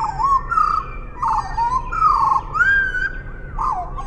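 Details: Eurasian blackbird song at half speed, close and loud: a string of deep, rounded whistled phrases that bend up and down, each topped by a soft high twitter.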